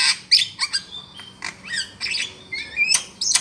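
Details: Javan myna calls used as a trapping lure: harsh, scratchy squawks and short wheezy notes in irregular bursts, some with brief whistled slurs, all high-pitched, with no other clear sounds.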